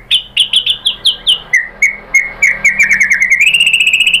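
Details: White-rumped shama lure song aimed at making other shamas sing: evenly spaced downslurred whistles, then a steady run of repeated notes speeding into a fast high trill.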